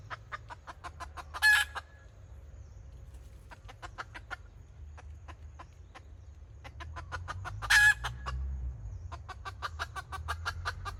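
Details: Kataak-style clucking from a decoy red junglefowl hen, 2024: dense trains of quick clipped clucks broken twice by a loud, harsh squawking burst, with a constant low hum beneath.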